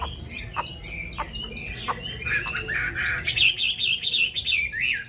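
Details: Captive Hwamei said to sing nonstop in a wild-type voice, opening with sharp clicks and short notes, then breaking into dense, fast warbling with high rippling whistles toward the end.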